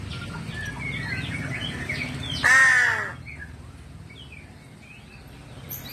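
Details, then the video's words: Crow, a bird locally believed to bring news of death, giving a single loud, harsh, nasal caw lasting about half a second, while small birds chirp and twitter faintly in the background. "suara burung gagak membawa berita kematian"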